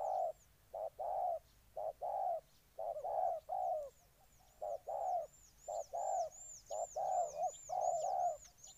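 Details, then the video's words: Spotted dove of Ninh Thuận, Vietnam, repeating short-long coo phrases almost every second, low and mellow, over a busy background of thin high arched chirps from other birds. "Cu gáy Ninh Thuận"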